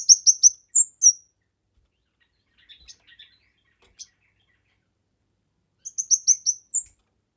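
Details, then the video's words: A kemade in full song, used to tutor other songbirds and to lure birds. Quick high chirps in a row and two drawn-out whistles, a quiet gap with soft ticking notes, then the chirp series returns. "Burung Kemade GACOR...Cocok untuk MASTERAN, PIKAT DAN PANCINGAN"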